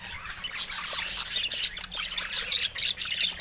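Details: Dense budgerigar chatter, bright twittering and raspy chirps overlapping without pause, loud and lively throughout.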